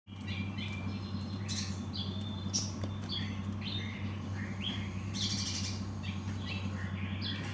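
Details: Cinereous tit giving a busy run of short, high chirps and squeaky notes, some quick and downslurred, over a steady low hum throughout.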